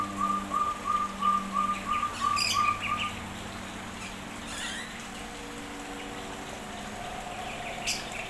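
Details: A Crested partridge in an aviary gives a melodious, quick run of soft, even whistled notes, about three a second for three seconds, then falls quiet among faint clicks and splashes.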